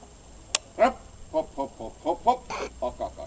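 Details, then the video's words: New Hampshire Red chickens: a run of short, harmonic clucks repeated unevenly, some rising slightly, with a sharp click near the start and faint background hiss. "Red New-Hampshire Chickens"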